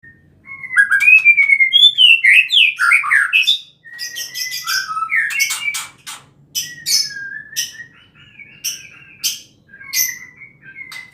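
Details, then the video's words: Wild white-rumped shama of the Bohorok type singing in forest: rich varied phrases of clear whistles, rising and falling slurred notes and sharp sweeping chips, delivered in bursts with short pauses, loud and close against a quiet background. "suara asli hutan murai bohorok"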